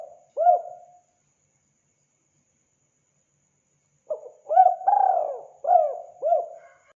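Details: Spotted dove in full voice, used for hunting: a single brief cooing phrase, a pause of three seconds, then a longer run of rounded, throaty coos in quick succession.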